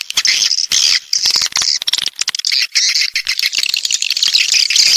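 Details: Walet pantai swiftlets of the south: choppy high chirping in bursts with clicking between them, gaps early on, then denser continuous twitter.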